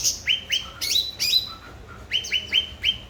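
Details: Cucak ranting in vigorous song, meant to stimulate quiet grey-bellied bulbuls to sing: crisp upslurred chirps in short runs, bright louder bursts, a pause, then four evenly spaced flicked notes.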